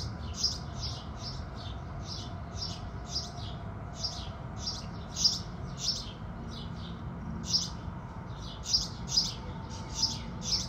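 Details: Morning chorus of house sparrows at sunrise, with dense, overlapping high chirps in quick uneven bursts across the whole stretch and a faint low rumble beneath.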